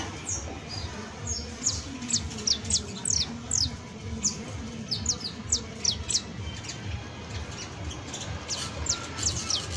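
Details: Saffron finch, called canario criollo, delivering a professional song of rapid, high, thin downslurred chirps repeated in quick runs, with steady low rumbling background noise throughout.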